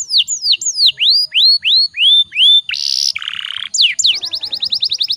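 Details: Canary in full song with long rolls, used as a lure to get other canaries singing: high whistled downslurred notes repeated rapidly, a brief buzzy burst, a lower rattling trill, then a fast chattering roll.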